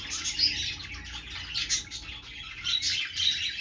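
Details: Budgies giving busy, overlapping chirps and short squeaky notes in bursts, swelling and fading every second or so.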